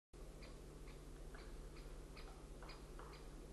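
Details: Woodpecker hammering recorded on 11 February 2012: sharp dry taps come in an uneven series, roughly two per second, over a steady low hum.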